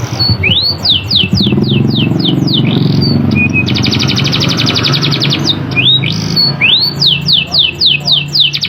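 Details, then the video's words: Canary singing with sharp rolling trills, used to make other canaries respond. A series of steep descending whistles repeats about four times a second, broken by a long high buzzy roll, against a low rumbling background. "PANCINGAN KENARI GACOR NGEROLL TAJAM"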